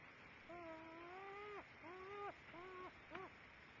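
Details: Two loons in view give four soft, hollow hoots, each shorter than the one before and dipping slightly at the end, over a quiet steady hiss; recorded at 08:30.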